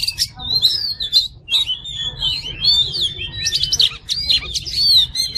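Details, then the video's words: Oriental magpie-robin (kacer) masteran song made of clear looping whistles and quick trills, one phrase running into the next without pause, a steady low hum behind. "MASTERAN KACER JADI FIGHTER"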